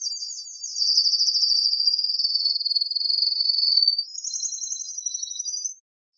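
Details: Malinois canary delivering a high, rapid, rolling trill held for several seconds and gradually falling in pitch, then a softer, slightly higher broken roll before stopping; no other sounds.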